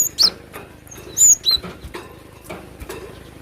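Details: Cinereous tit (glatik batu) singing energetically in the wild: a few sharp high whistled notes, some sliding downward, scattered among soft clicks and rustling.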